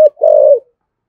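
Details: Single Thổ Sấm style coo of a spotted dove, urgent lure cooing to provoke wild doves: a short clipped note, a tiny pause, then one full, steady, deep coo sliding down at the end.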